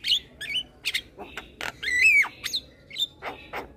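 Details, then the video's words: Young male black-winged starling, a caged bird bobbing its head, singing as a master recording for training other cage birds: scattered harsh squawks and clicks mixed with short whistled slides, one longer wavering whistle near the middle. "Jalak Kebo Jantan Muda Rajin Bunyi - Jalak Kebo Jantan Manggut Manggut"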